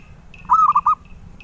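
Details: Sweet-voiced zebra dove, a collectors' bird, delivering a single gentle cooing phrase of four linked notes that softens toward the end, with quiet high chirps before and after.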